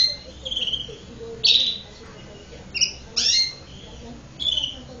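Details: Belgian canary, a domestic canary, singing in short bright bursts of high, sweet trills and chirps, each phrase a fraction of a second, separated by brief pauses.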